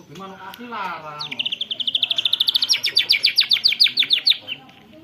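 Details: White-rumped shama singing with canary-imitation fill in a long rolling phrase, recorded on a phone: a rapid, even roll of sharp high chips, about three per second climbing in pitch and holding for over three seconds. Faint low voices are heard at the start.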